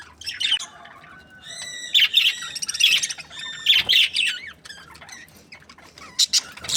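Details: A breeding pair of budgerigars chirping; quick bright warbled chirps and squawky notes, harmonic stacked whistles in bursts around two to four seconds, with quieter gaps between.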